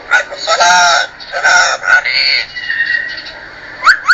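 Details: Amazon parrot talking with loud, raspy, word-like phrases, a softer trailing tonal sound, and two quick rising whistles at the very end.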